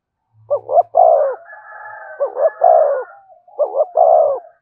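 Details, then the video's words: Spotted dove cooing in the voice styles called giọng thổ, thúc and kèm: three low, mellow phrases, each a quick double note then a longer rolling coo, repeated roughly every 1.7 seconds, with softer drawn-out notes between phrases. "tiếng cu gáy giọng thổ thúc và kèm hay nhất"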